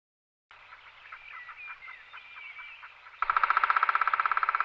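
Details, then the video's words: Male black woodpecker recorded in April 2019 in the León mountains, Spain: faint, rhythmic ticking at first, then a loud, fast, even drumroll of sharp strikes, about twenty a second, to the end. "Pito negro ( Dryocopus martius ) Black Woodpecker"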